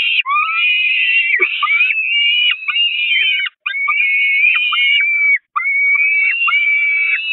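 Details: Peregrine falcon chicks at a church nest, the Catharinakerk, on 5 May 2021, very hungry and attacking their mother, who flees to the grating. Continuous loud, wavering screams and whines, broken by two brief pauses.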